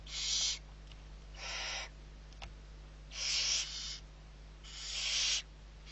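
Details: Barn owlets, six of them, being fed at Riet Vell reserve in Spain's Ebro Delta, 21 November 2023. They give long, rasping, noisy hisses of uneven length at irregular intervals. A faint click falls between them, with a constant electrical hum underneath.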